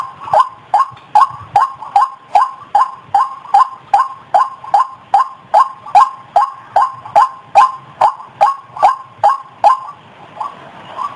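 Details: Lure recording of a white-breasted waterhen: a long, even run of sharp, croaking notes, roughly 150 a minute, which stops near the end and leaves a faint hiss.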